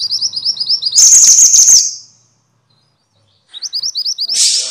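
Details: Minivet (mantenan or sepah) sounds for teaching caged songbirds: evenly repeated rising thin chirps, a dense buzzy high chatter, silence of over a second, then another rapid chirp series ending in a hissy burst.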